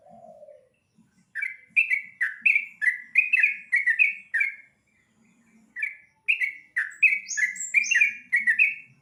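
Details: Yellow-vented bulbul given dried rice, in its typical dawn song: two bouts of lively, bubbling chirps that rise and fall in rapid succession. A higher whistled note slips in near the end, over faint low background noise.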